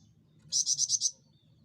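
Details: Javan fulvetta, a small insect-eating bird, uttering five quick, loud, high chirping notes in an even row.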